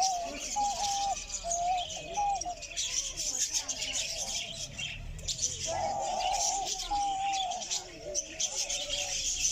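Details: Diamond dove calling, filmed close up in North Rhine-Westphalia, Germany: soft, low, drawn-out cooing notes, several in sequence, with a steady hiss and faint chirping in the background.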